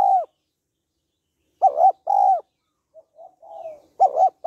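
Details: Female spotted dove calling to stimulate a male, a mix of calling, urging and cooing: paired loud arched coos near 700-800 pitch band, then a softer run of short rising coo notes, repeated.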